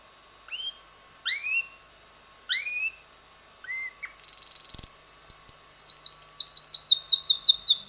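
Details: Red male canary, about six months old, whose melodies change weekly: several separate rising whistled notes spaced apart, then a loud rapid rolling trill of repeated notes, over a faint hum.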